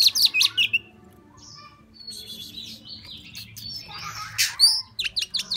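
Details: Oriental magpie-robin singing "múa 13 kiếm": bright whistled notes open the phrase, a quieter stretch of soft twittering and a scratchy burst follow, then rapid high chips close it.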